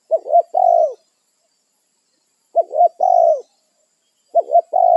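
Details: Spotted dove in the wild calling companions and holding territory: repeated three-part cooing phrases, two brief hooked notes then a longer steady coo ending downward, roughly every two seconds, with faint high hiss behind.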